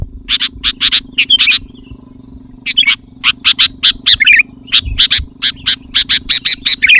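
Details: Energetic sooty-headed bulbul luring wild bulbuls with a steady run of sharp, clear chirps repeated several times a second in loose groups, broken by a short pause and a few warbled flourishes, with a faint low hum beneath.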